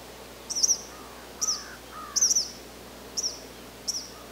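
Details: Eastern kingbird in the wild in Canada giving short, sharp, high-pitched sputtering notes in bursts about once a second, some doubled or stuttered, with a couple of fainter lower slurred notes between them over soft background hiss.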